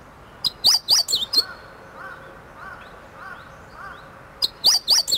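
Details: Meadow bunting practising its song at close range, relaxed and unafraid, filmed 8 March 2011 while shifting from calls to full song: high, sharp chirps in quick clusters, broken by softer, lower downslurred notes and a quiet gap.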